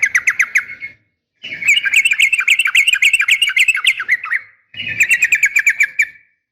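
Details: Female Sooty-headed bulbul calling a male, a sharp fighting call to make bulbuls respond: three runs of rapid, rattling, chattering notes, the middle one longest, with low background rumble.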